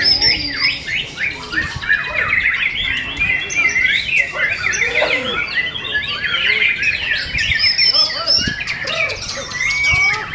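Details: Caged white-rumped shama singing at a songbird competition: a dense, fast stream of varied high whistles, trills and sharp chirps, layered with other birds singing and faint crowd voices.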